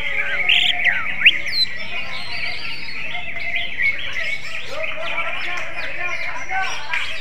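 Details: Greater green leafbird singing in a style likened to the magpie-robin: a dense, busy stream of bright chirps, trills and quick slurred whistles, continuous throughout, with faint human speech in the background.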